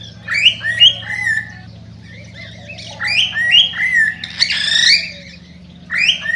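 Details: Singing cockatiel, meant to excite cockatiels into mating: short rising whistles and harsher squawky notes in loose bursts separated by quiet gaps, over a constant low background hum.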